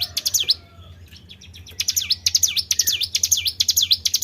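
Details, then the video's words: Tribel bird calling to draw other birds: a few high swooping chirps, a quieter second of soft notes, then a fast run of loud paired V-shaped chirps over a faint hum. "PANCING BUNYI BURUNG TRIBEL"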